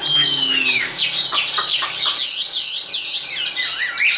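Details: Caged Chinese hwamei, a tame contest songbird singing high: opens with a long clear downslurred whistle, then an unbroken run of looping, wavering whistled phrases.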